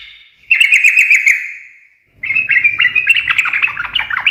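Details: Chattering gacor ngekek song of a sooty-headed bulbul, used to make birds answer right away; a rolling burst of notes fading out, silence, then a denser rising stream of busy chirps.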